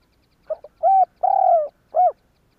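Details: Spotted dove cooing as a lure to set other doves calling: two faint clipped notes, a steady coo, a long slightly descending coo and a short arched final coo.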